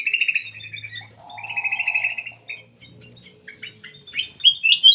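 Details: Constantly singing black-capped bulbul, recording meant as a lure for other birds: warbled high whistled runs, a mid-pitched buzzy trill, then a string of short sharp chirps rising to loud whistled notes, with a faint low hum.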